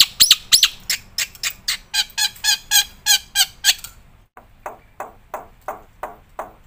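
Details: For prompting and tutoring captive birds, a black-winged myna sings fast harsh notes, each about a third of a second apart, then a softer, slower series of squawks after a short pause.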